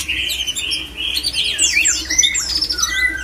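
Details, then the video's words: Mating call of a white-rumped shama, used to rouse other shamas to breed: a long level whistle opens, then quick high swooping notes and twittering phrases crowd together, ending in short descending whistles, with a low hum underneath. "JAGONYA MENGAJAK MURAI LAIN IKUT BIRAHI"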